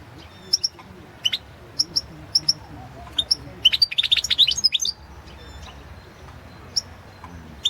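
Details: Goldfinch competition recording from the 2016 World Championship in Goldfinch Song: short high sharp notes spaced about every half second, then a dense burst of fast twittering around four seconds, followed by sparse single chips in a quiet room.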